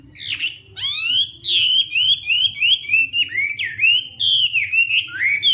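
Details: Hwamei morning song training: a continuous flowing series of clear whistled slurs, each sweeping downward then rising, delivered quickly and loudly without break.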